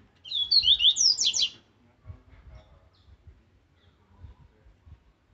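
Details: Rusty-collared seedeater singing aggressively for training: one short burst of sharp whistled slurs followed by quick high downward strokes, then a second of soft low thumps and handling noise.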